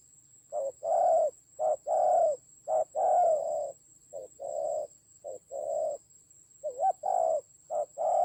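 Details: Spotted dove used as a decoy bird during a fight, recorded in Vietnam's Central Highlands forests on 19 October 2020. It gives low, hollow coos in short and drawn-out notes, roughly one per second, over a faint steady high whine.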